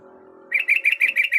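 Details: After a brief low murmur, a female yellow-vented bulbul in breeding condition gives a quick string of bright, evenly spaced chirps, about six in one second, calling a male.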